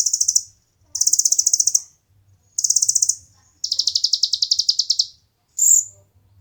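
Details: Kolibri ninja sunbird repeating very high, rapid buzzy trills in four bursts of about one second each, then a single sharp whistled note; used as training song for competition birds.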